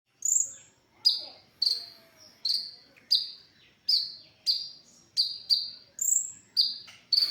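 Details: ['Brown-throated sunbird song recorded for training other songbirds: sharp, high, slightly descending chirps repeated roughly every half second, with occasional higher thin notes, in a quiet setting.']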